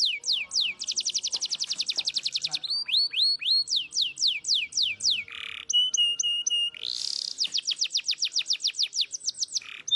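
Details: Singing canary kept as a tutor to prompt untrained canaries: long rapid trills of falling whistled notes, a steady flat whistle passage, a brief harsh burst, then more fast rolling trills.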